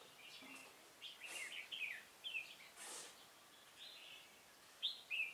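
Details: Red-whiskered bulbul used as a decoy at a trap, recorded 16 November 2017: short warbled, slurred phrases come in bursts with gaps of a second or more. Faint hiss runs throughout.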